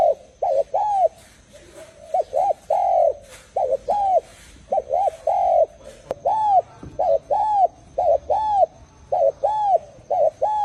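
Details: Spotted dove cooing steadily: low, arched coo notes delivered in short groups of two to four, with brief gaps between groups, repeated throughout, plus a faint steady high whine in the background.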